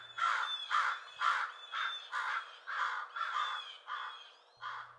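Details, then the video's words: Crows mobbing an owl, calling loudly to summon others and working together to drive the predator away: harsh repeated caws about twice a second, each a rough, broad burst, continuing steadily through the recording. "they aren't just harassing the owl but working together to drive it away"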